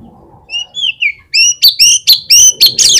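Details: Oriental magpie-robin singing a lure song meant to prompt other magpie-robins to sing: a few soft rising whistles, then a rapid loud run of sharp, ringing, slurred notes about five a second.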